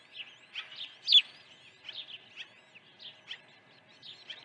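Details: Osprey calling at the nest during an early morning feeding on 1 June 2019; series of high, sharp whistled chirps, one louder squeal near the middle, irregularly spaced over a quiet background.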